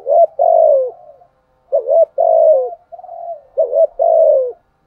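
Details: Lure spotted dove cooing to incite rival males: three loud phrases, each a quick dipping note then a long falling coo, with quieter murmured coos between them.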